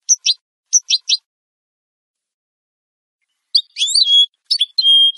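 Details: Clean song of a European goldfinch for teaching captive birds. Two triplets of sharp high chirps open it, and after a long silence comes a twittering phrase with drawn-out nasal, buzzy tones. Nothing else is audible.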